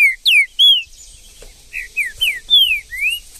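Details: Trinca-ferro, the green-winged saltator, in wild scrub: three strong descending whistles, then a gap and a second series of five clear slurred notes alternating falling and rising glides.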